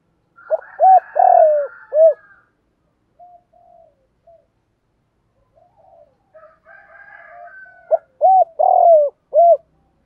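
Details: Lure-calling spotted dove kept to attract wild doves, repeating its low cooing phrase twice about six seconds apart, each a clipped note, rounded coos and a drawn-out burry coo, with faint higher bird twitters in the background.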